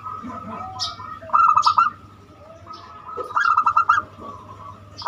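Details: Banyumili zebra dove song meant to lure other birds into song: two quick pulsed coo phrases about two seconds apart, with soft scattered calls and low hum behind.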